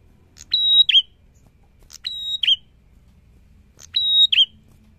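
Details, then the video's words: A prinia sings steadily, repeating a bright phrase about every two seconds: a sharp chip, a level high whistle, then a buzzy falling note. There is little else in the background. "PRENJAK GACOR BIKIN PRENJAK SEKECAMATAN BUNYI"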